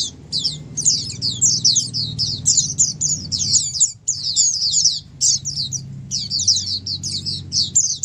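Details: Flock of Oriental white-eyes singing together in the ombyokan style, used to prompt quiet white-eyes to answer and sing more. Dense, high, rapid twittering chirps pour out almost nonstop, with brief pauses around four and five seconds, over a low background hum.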